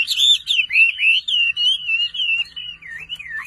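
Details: Kept Chinese hwamei singing a continuous, flowing warble of loud, clear whistled slurs, the notes gliding up and down in smooth waves.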